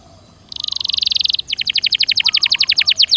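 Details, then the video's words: Canary singing in 'gacor dor nembak' style, used to make other canaries sing again: a rich buzzy trill of almost a second, then a long fast series of crisp pulsed notes, about ten per second. "Suara Burung Kenari Gacor Dor Nembak Untuk Pancingan"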